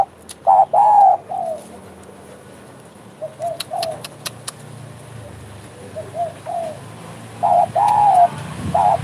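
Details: Spotted dove (derkuku) giving 'bekur' coos in scattered bursts: a loud short-long arched pair at the start, quieter coos in the middle, then a strong pair near the end, with faint clicks and low rumble.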